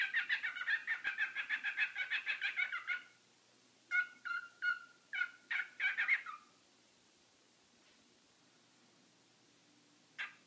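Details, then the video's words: Pet bird staying indoors after a hurricane, calling while someone talks on the phone: a rapid run of harsh, repeated squawking notes for about three seconds, then a second choppy burst of loud calls, followed by quiet. "Dad's Bird is Noisy!"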